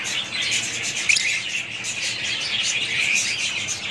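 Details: A family group of budgerigar parrots chirps and warbles in a dense high chorus, with one sharp louder note just after the first second and a steady scratchy background.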